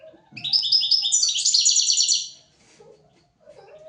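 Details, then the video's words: Goldfinch singing a tutoring phrase for young goldfinches and canaries: a single two-second run of high, clear repeated notes that rolls into a dense, chattering trill, with soft low knocks and faint background noise. "تغريد طائر الحسون"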